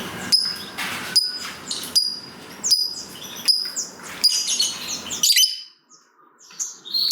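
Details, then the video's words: Lovebird fighter chatter used to prompt other lovebirds to sing: sharp high chips roughly every 0.8 seconds over a hissing, buzzy background, ending with a brief pause and faint tones. "Pancingan Burung Lovebird Ngetik Bikin Gacor Ngekek Panjang !! Lovebird Lain Langsung Nyaut Gacor"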